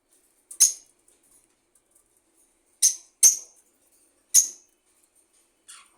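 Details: Budgie giving sparse, sharp, high chirps, single or paired, with long silent gaps between them over six seconds.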